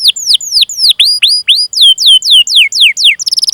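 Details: Canary used as a training lure for canaries: crisp, high, down-slurred cuit notes repeat about four times per second, ending in a quick rattling trill.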